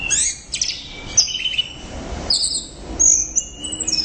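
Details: Orange-headed thrush singing loudly gives a varied high phrase of thin whistles, scratchy chatter and long drawn, slightly descending squeaky notes, in two main bursts.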